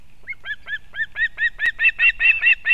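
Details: Osprey mother delivering fish to a chick at a nest in Kurzeme, Latvia, 31 August 2024, live nest camera: a series of about twelve short whistled chirps, starting soft and growing louder and quicker.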